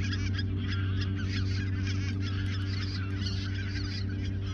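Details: Geese gathered at the Ochsenmoor nature reserve, autumn 2022, a few days before flying south; a thick, unbroken mass of honking from many birds, with a humming low background.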